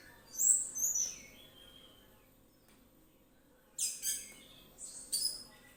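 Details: Full, relaxed song of an orange-headed thrush meant to trigger other birds to sing: thin high whistles sliding downward, a pause of nearly three seconds, then two bursts of rich, scratchy twittering.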